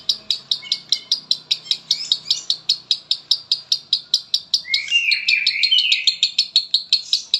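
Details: Palembang lovebird delivering konslet song, a long, regular stream of clipped, high chatter notes, with a brief burst of slurred, buzzy whistling midway and a faint low hum underneath.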